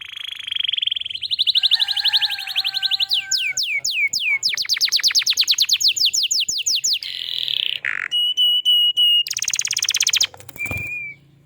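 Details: High canary song in the prolific gacor style, played to draw other canaries into singing: a steady whistled tone, quick repeated sweeps, dense high trills, then a clear held note and a brief closing whistle.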